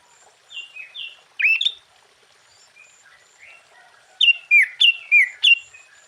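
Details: Sooty-headed bulbul song meant to rouse and provoke other bulbuls: a few soft whistled slurs, one loud rich phrase, a quiet gap, then a rapid run of five bright chirping notes.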